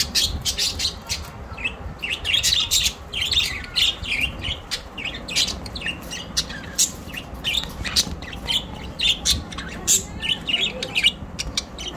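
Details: Several pet budgerigars in a home in Larkana, Sindh, on September 12, 2023, chattering nonstop: rapid clicks, high tweets and harsh squawks tumbling over one another for the whole stretch, with a low background rumble.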